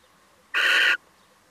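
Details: One loud, harsh, rasping call of under half a second, from a male little owl that drops by. Nothing else is heard but quiet background.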